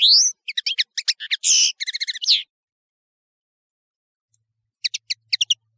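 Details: European serin song used as a high-quality training recording: a burst of quick high jingling notes and short buzzy trills for about two seconds, then silence, then a few sharp high chips near the end.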